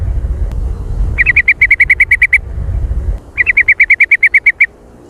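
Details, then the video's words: Very active, noisy sooty-headed bulbul used as a lure call: two fast bursts of about a dozen sharp, evenly spaced chipping notes each, separated by a second of low rumbling background noise. "Suara pikat Burung Kutilang Dengan Jontrot super aktif dan berisik"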